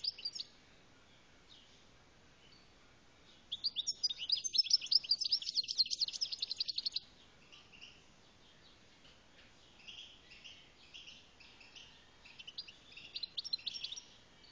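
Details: Algerian goldfinch song: a loud burst of rapid, jangling twitters and buzzy chirps for about three seconds, then softer scattered tinkling phrases returning in short bursts, with low background hiss throughout.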